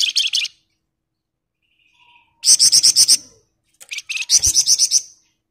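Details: Sunda bush warbler, actively singing in ngebren style: three bursts of rapid, sharp high notes, each about six to eight notes long, separated by pauses of one to two seconds.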